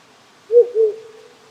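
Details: Wild owl in rural Japan, one of those living on small hills near a house since spring, calling on a cold night with few insects or frogs: two low hoots, the second trailing into a long steady tone, over a faint stream hiss.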